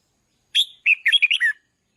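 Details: Red-whiskered bulbul decoy bird singing loudly after training: one brisk phrase, a sliding opening note followed by five rapid chirpy warbled notes, clean and free of other sounds.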